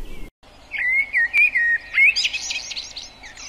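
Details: Song of a common blackbird (Turdus merula): a brief gap, then slow, clear, flute-like whistles that rise and fall, running into a buzzy, high-pitched twittering tail.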